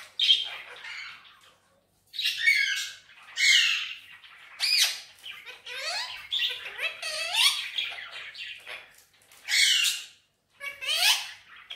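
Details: Talking pet Indian ringneck parakeet, green plumage, Urdu and Hindi speaker, delivers bursts of hoarse, speech-like chatter interspersed with swooping whistled notes, spaced by short pauses over several phrases.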